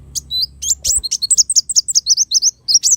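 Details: Kolibri wulung, a sunbird, used to tutor songbirds: a fast, continuous chatter of high, squeaky, twisting notes, roughly five each second, with a brief low thump near the start.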